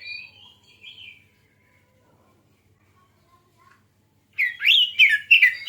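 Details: Oriental magpie-robin song used as a lure to provoke other birds into singing: soft, high whistled notes at the start, a long quiet gap, then a loud burst of rapid, varied, warbling phrases.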